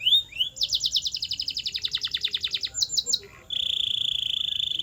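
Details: Canary song for training birds to sing: a brief rising note, then a long rapid rolling trill of repeated chips, a short burst, and a steady high buzzy sustained trill.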